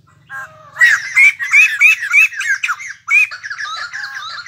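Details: Newly acquired wild-caught white-crested laughingthrush in a cage, launching a loud cackling series of rising whistled notes over harsh chatter, briefly broken, then continuing in a lower babble.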